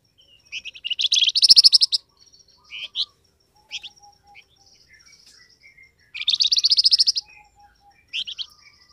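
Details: Flamboyan bird calling, used to make wild birds call back: two loud buzzy rattling trills of rapid pulses, each about a second long, with short sharp chirps between and faint low whistles in the background.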